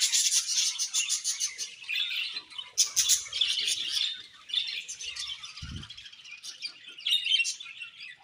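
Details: Many budgerigars in a colony twitter together, fast scratchy chirps and squeaky warbles running about three per second, with one dull low thump late in the recording.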